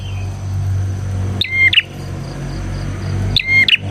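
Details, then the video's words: Bar-winged prinia recording meant for luring and tutoring prinias: two loud clicking, whistled bursts about two seconds apart over a steady low mechanical hum. "suara burung PRENJAK GACOR isian 💯% cocok untuk MASTERAN PRENJAK dan Pancingan prenjak bahan"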